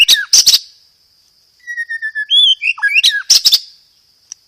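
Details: Caged white-rumped shama song used as a lure and training recording, in the gereja tarung style with rapid roll tembak phrases: sharp clicking bursts, then a run of high pure whistles and slurred notes, ending in more explosive clicks.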